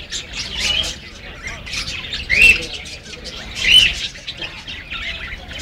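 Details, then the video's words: A baby parakeet gives soft, high chirps in a loose scatter, with two clearer rising notes standing out, over faint room noise. "Baby parakeet uttering to make chirping sound"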